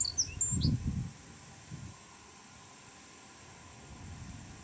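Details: Male Japanese reed bunting in black-faced breeding plumage singing loudly under blazing sun, Chiba, Japan, 2 July 2017: a quick phrase of thin, high chirping notes in the first second, then low rumbling background noise.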